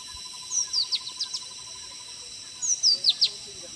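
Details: Red-breasted parakeet foraging in the forests of Assam, India: two bursts of four or five short, high, sharply downslurred notes, separated by a pause, over a steady pulsing lower tone and constant insect hiss.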